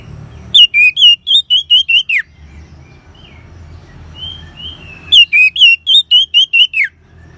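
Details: Orange-headed thrush delivering ngeban song as a lure for caged birds: two bursts of about eight loud whistled notes in fast succession, the last dropping steeply, with quiet high whistles between bursts and a faint low rumble.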